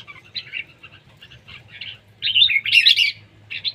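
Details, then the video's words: Red-whiskered bulbul in competition singing: scattered short chirpy phrases, then a loud bright burst of warbled notes past the midpoint, over a constant low background hum. "chào mào đấu siêng ché"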